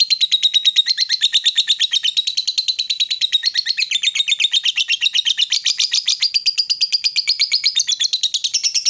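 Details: A female fighter lovebird chatters in the drawn-out ngekek style used to provoke rivals: nine seconds of unbroken rapid, scratchy trilled notes that shift up and down in pitch as the rattle rolls on.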